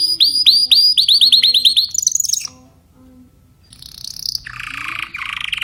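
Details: Singing Timbrado canary: bright, repeated downward-swooping whistles that quicken, a short pause, then a softer, rougher warbled trill phrase.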